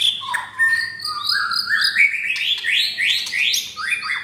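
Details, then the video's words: Caged F4 White-rumped shama from Jakarta, Indonesia, mottled breast, pouring out rough-material song: continuous loud whistled phrases climbing step by step in pitch, with quick repeated upslurs toward the end. "Murai Batu F4 Blorok Materi Kasar"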